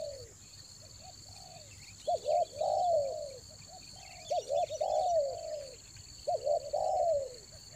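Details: Spotted dove from Toba, recorded for luring wild doves in the rainy season. It gives mellow cooing phrases: two short hooted notes, then a longer drawn-out falling coo, repeated about every two seconds. A steady high whine runs throughout.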